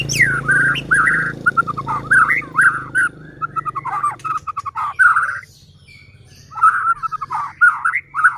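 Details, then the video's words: White-rumped shama, caged, singing to provoke fellow shamas; a long chain of quick varied whistles and chatters over low background hum, a pause, then further warbled phrases. "Murai batu gacor AMPUH buat PANCINGAN murai batu agar bunyi JADIKAN burung murai EMOSI"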